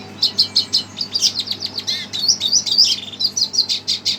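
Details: Agitated red siskin answering a played recording with a dense, fast twittering song: rapid high chirps and thin buzzy trills run almost without pause for four seconds, with a low hum behind.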